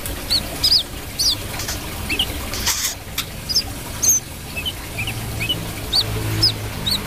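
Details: A brown-throated sunbird delivers bright, high chirps, some doubled, spaced irregularly across the recording, over hissy background noise and a few soft rustles.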